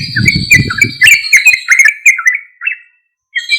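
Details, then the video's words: Sooty-headed bulbul singing loudly, used as a lure to make untrained or silent bulbuls respond; bright chattering notes rising and falling in rapid bursts, with low rumbling thumps early on and a short pause near the end. "Suara Trucuk Gacor Keras MUJARAB untuk PANCINGAN trucuk Bahan atau Macet agar Langsung Respon"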